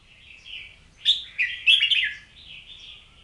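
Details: Oriental magpie-robin song opening with a soft warble, then a loud burst of rich, rapid whistled notes with sharp high accents. It trails off into quieter, fluid warbling against a calm background.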